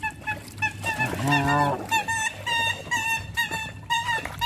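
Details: Canada geese being hand fed, giving a rapid series of loud nasal honks, each short and clipped, about a dozen in quick succession with one longer, lower drawn-out honk near the middle; low rumbling background noise throughout.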